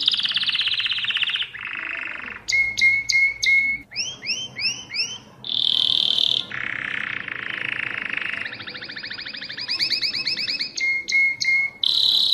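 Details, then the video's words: Caged Mosaic canary song mixing rolling trills, sharp repeated chips, looping upswept whistles and buzzy low rolls, switching phrase every second or two with barely a pause. "تغريد كناري الموزاييك"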